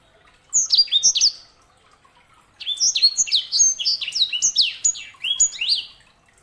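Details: Canary hybrid (sanger) song: a brief burst of sharp high chirps, a second-long pause, then a sustained trill of quick downward-swept whistled notes.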